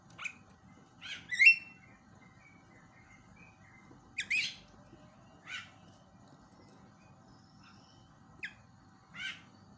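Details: Javan myna calls used to provoke silent mynas into chattering again: a spaced series of short, harsh, scratchy bursts, about six over ten seconds, with quiet gaps and a low steady hum beneath.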